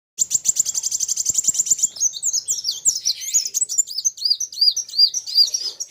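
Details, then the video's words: Sunbird (kolibri wulung) singing hard against a rival: a fast buzzy trill of high repeated notes for two seconds, then tumbling high arched whistles and chirps overlapping, two birds in lively exchange. "BURUNG KOLIBRI WULUNG NARUNG GACORR KETEMU LAWAN SAMA" GACORR..RAMAII"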